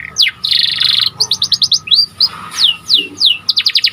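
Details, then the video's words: Lively panda canary song mixing a loud buzzy roll, quick chips, rising and falling clear whistles and a closing fast series of sharp notes, with a faint steady tone behind. "Kicauan Burung Kenari Panda Gacor Di Satu Titik"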